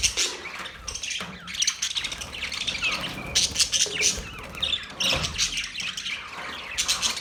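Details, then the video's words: Chattering Australian parrots, October 10, 2023: rasping squawks and high twittering calls come in bursts from several birds, with a few softer gaps and faint low rustling between them. "Beautiful Australian parrot sounds | Parrots talking sound"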